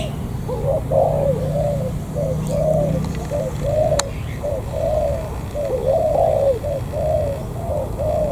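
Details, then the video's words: Low, hollow cooing from a wild-caught spotted dove near the An Giang border gate, Vietnam: many rounded coo notes strung closely together in rolling sequences over a constant low rumble. "Cu gáy bổi thổ cửa khẩu An Giang"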